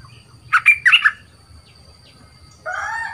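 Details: Caged young bulbul in training as a decoy bird, strong-voiced and two months caged, gives a short cluster of five loud chirped notes, followed by a rooster's crow starting near the end.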